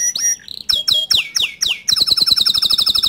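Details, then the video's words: Bottle-green canary song used to tutor young canaries: short sweeping whistled notes dropping in pitch, then a fast bright rolling trill of repeated high syllables, about four per second at first, then quickening. "Kicau Kenari Hijau Botol Untuk Masteran kenari Paud & Bahan"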